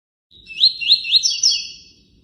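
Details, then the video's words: Tui tui singing "cortando canto": a short high phrase of three quick rising, slurred notes, ending in a brighter buzzy flourish, with no other sounds. "Tui Tui ( cortando canto ) com intervalo e som de água corrente."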